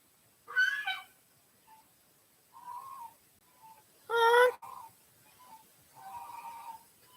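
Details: Domestic geese walking past give two loud, nasal, brassy honks several seconds apart, with softer lower murmuring calls between them.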